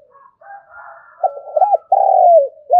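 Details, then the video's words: Decoy spotted dove cooing to call in wild birds: low, hollow coo notes, a short broken phrase ending in a longer, louder drawn-out coo that slides slightly downward. "Tiếng chim cu gáy mồi gáy gọi bổi"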